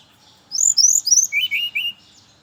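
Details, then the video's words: Brown-chested jungle flycatcher in the morning, used as a lure for other birds of its kind, giving a quick run of about eight high, clear whistled notes that step downward in pitch. "Suara merdu burung SRDC (sikatan rimba dada coklat) di pagi hari, pancingan buat srdc lain"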